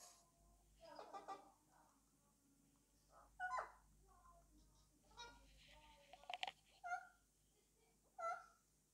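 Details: Pet Alexandrine parakeet indoors, talking to its toy: a series of short, harmonic, speech-like chattering bursts and squawky syllables, spaced a second or so apart, with quiet room hum between them.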